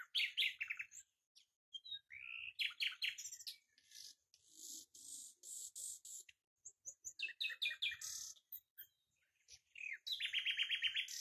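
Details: Common nightingale song in quick succession: rapid repeated chips, a rising slurred phrase, dry rattling bursts, and long buzzy high trills, with brief pauses between phrases and a loud fast trill at the end.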